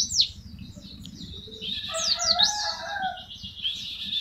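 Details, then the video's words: White-eye giving tembakan-style song for a masteran tutor recording: a sharp high downslurred note, then a burst of twittering, swooping whistles and lower warbled notes, ending in a sustained high trill, with a faint low hum beneath. "MASTERAN TEMBAKAN BURUNG PLECI"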